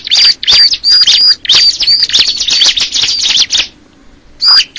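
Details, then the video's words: Crystal ciblek (bar-winged prinia) song: rapid high chirps with repeated bright, slightly rising whistled notes, about three a second in uneven bursts, then a short pause before a final pair of chirps. "the sound of the crystal ciblek bird"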